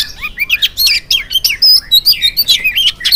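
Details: Oriental magpie-robin singing in the morning to prompt other birds to sing: a rapid jumble of sharp whistles, chips and slurred phrases with little pause.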